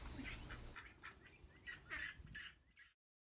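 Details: Domestic ducklings, played to compare female and male duckling voices, give a quick run of high, thin peeps, several bursts each second, some rising slightly, over a low background rumble.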